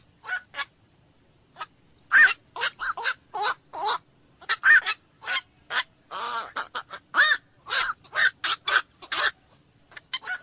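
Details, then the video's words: Black-crowned night heron uttering many coarse, honking croaks in uneven series, with a longer buzzy rasp midway and dense overlapping calls near the end. "SUARA BURUNG KOAK MALAM"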